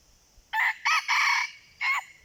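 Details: Red junglefowl crowing during decoy luring of wild birds: a loud, clear crow in four parts, a short opening note followed by two longer ringing segments and a final drawn-out syllable, set against quiet background.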